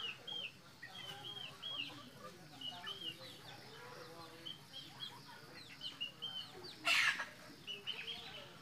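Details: Red junglefowl kept for breeding in Mukomuko, Bengkulu: high, piercing downslurred whistles repeated in quick irregular runs from several birds, with a sharp clatter near the end and low background hum.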